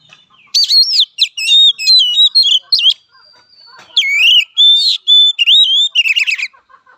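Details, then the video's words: Oriental magpie-robin (kacer) fighting song: two long bouts of loud, varied singing, with sliding whistles, steady tones and dry rattling trills, separated by a short quieter gap. "Suara Kacer Petarung!!"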